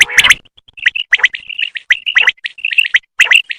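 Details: A female common quail calls with short, high chirping notes with clicky edges, in uneven bursts about once a second, with brief quiet gaps between.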